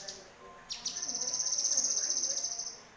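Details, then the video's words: Yellow-vented bulbul, harsh-style tutor recording for songbirds: one or two sharp notes open a fast, continuous, high buzzing rattle of rapid pulses lasting about two seconds, then fading. "MASTERAN KASAR CUCAK KINOY"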